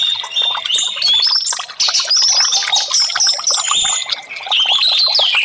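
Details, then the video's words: Orange-headed thrush singing in a therapy recording meant to get stalled birds responding: busy, overlapping high chirps and clear slurred whistles, a brief dip near two seconds, then steady twittering to the end. "TERAPI Burung Anis merah"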